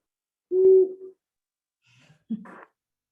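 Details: Recorded Long-eared Owl song, described as a fairly deep hoot that carries very little. One low, flat, tonal hoot of about half a second, followed after a pause by a brief muffled sound.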